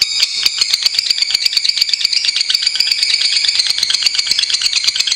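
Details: Lovebird song from a tutor recording: a rapid, shrill rattling chatter of closely packed pulses, continuous and fairly even, slightly harsher at the start.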